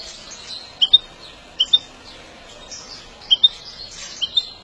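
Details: European goldfinch in a song-training and stimulation session: short high paired chirps repeated about every three-quarters of a second over a quiet background.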